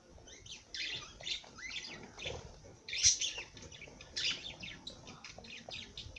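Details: Parrot singing, a dense run of high chirps, twittering notes and short warbled phrases with barely a pause, one louder sharp squeak standing out midway.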